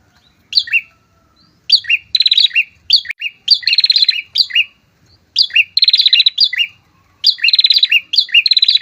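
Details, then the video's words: A pair of prinias in loud song, repeating clipped high notes and fast buzzy trills in phrases separated by short pauses, with no other sounds. "PRENJAK TAMU SEPASANG GACOR, COCOK UNTUK MEMANCING PRENJAK BUNYI, MEMIKAT LAWAN"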